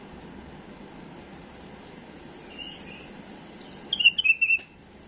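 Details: Tame bulbul whose faultless song serves to tutor chicks: mostly soft hiss with a faint thin whistle, then a short, loud cluster of rolling whistled notes near the end.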